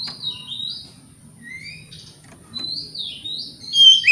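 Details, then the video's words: Quieter passage of Oriental magpie-robin morning song meant to stir rivals to reply: soft, spaced sliding whistles, growing louder toward the end with a sharp high flourish, over a steady high hum. "Pancingan Kacer Gacor Pagi Hari Bikin Lawan AUTO NYAUT!!! Ikut Emosi"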